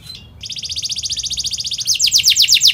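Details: Short canary phrase for training young birds: a steady, fast trill of high notes that shifts into louder, downward-slurring whistles near the end.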